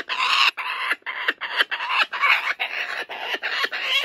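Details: A captive male laughing kookaburra at a wildlife sanctuary guards a stuffed toy he stole from a joey. He gives loud, rapid, rhythmic cackling notes in a steady run, with no gaps.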